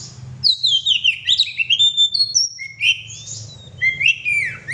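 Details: Oriental magpie-robin in lively full song: rapid varied whistled phrases, sliding notes and sharp chirps, high-pitched and continuous with no pause, over a faint low hum.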